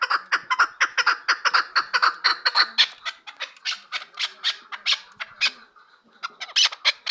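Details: Chukar partridge from Kabodiyon district, for sale, calling a rapid string of grating clucks, roughly two per second, that loosens into a gap near the end before a final loud burst.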